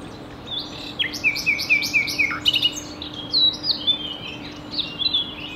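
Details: Common nightingale (Luscinia megarhynchos) singing at Ostravice near Ostrava, Czechia, on 27 April 2019 at 11:20: a string of rapid downslurred repeated notes, then mixed whistles and chirps in short bursts, with a faint steady low hum.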